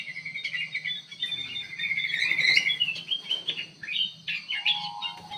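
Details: Kutilang emas bulbul singing in an aviary: whistled, warbling phrases over a steady low hum and background hiss, with a short tonal note late on.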